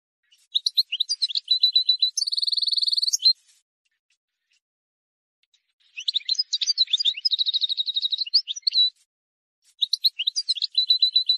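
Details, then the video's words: Wild European goldfinch singing an error-free song for tutoring chicks: rapid tinkling twitter phrases ending in a long, even, buzzy rattle of repeated notes, then a pause and another twittering run with a shorter trill. "غناء حسون بري خالي من الاخطاء لتسميع الفراخ"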